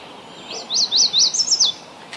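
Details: Ontario, Canada yellow warbler gives a fast series of about six high, arching, sweet notes, rising then dropping, the phrase ending with a slightly accented flourish; quiet surroundings.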